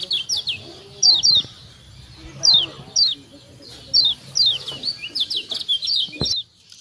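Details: Ciak calls from a Lombok kecial kuning white-eye, used to spur other birds to call: high falling chirps in pairs and short runs, with faint background voices and a click near the end.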